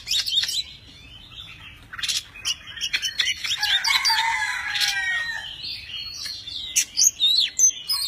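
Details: Hand-tamed Oriental magpie-robin performing a varied song as it spreads wings and tail: a few sharp ticks, then rich warbling phrases mixing sweet whistles with rasping, buzzy notes, closing with loud clipped chips.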